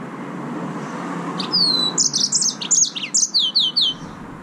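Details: Green singing finch, the yellow-fronted canary, gives a lively high-pitched phrase: a long clear whistled note, buzzy rapid trills, then a row of descending whistled slurs ending the strophe.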